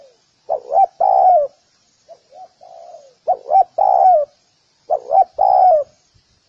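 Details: Hollow coo phrases from a spotted dove: a quick rising double note then a sustained falling coo, repeated three times with faint soft coos in a gap.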